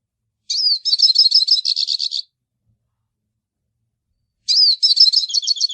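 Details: Hooded siskin song in two bursts about four seconds apart, each opening with a slurred whistle and running into fast, jangling twitters and trills, clean background otherwise silent.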